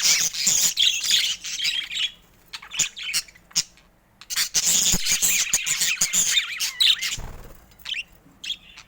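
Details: Pet budgerigars in rare colour mutations warble in loud, rough chattering bouts, separated by short silences with a few sharp clicks and a low knock.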